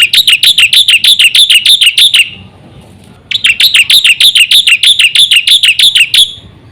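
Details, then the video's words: Black-winged myna in full song, used to lure other mynas into singing: very regular bright chirps repeated about three times a second in two long bursts separated by a short pause. "suara burung jalak putih full isi sekali pancing semua jalak kaget gacor"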